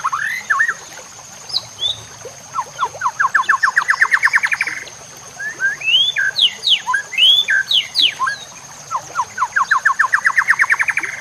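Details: Training song of the white-rumped shama (murai batu) over nature sounds and running water: rapid rising trills of many short notes, twice, with a burst of varied sweeping whistles between them.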